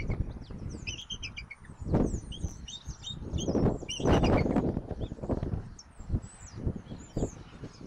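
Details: Bald eagles at their nest in Southwest Florida, from a live nest cam on 10 October 2024 at 17:26. Thin, high chittering notes come in quick broken series over gusty wind rumble and bumping noises.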